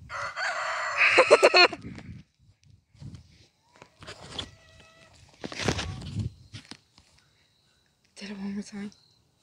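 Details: Young black rooster, raised from a chick, giving a failed, odd crow likened to a bad five-chime train whistle: a loud harmonic burst of stacked tones, then quieter scratchy sounds and a short nasal call near the end.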